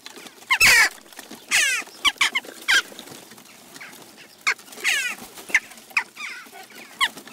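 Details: Several Western jackdaws at a garden feeding station in Recke, Germany, on 29 June 2021 trade sharp, harsh 'tchak' calls, some drawn out and rasping, a dozen or so in seven seconds at an irregular pace.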